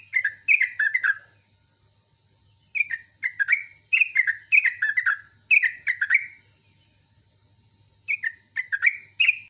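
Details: Morning song of a sooty-headed bulbul: quick clusters of three to four chirpy, slightly descending notes, given in bursts about a second apart with a longer pause midway, over a faint low hum.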